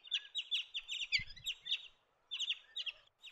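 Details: Blue Bonnet feeding on the ground, giving loud, rapid harsh chack notes in two quick bursts of about eight to ten notes each, separated by a short pause; clean background with one brief thump.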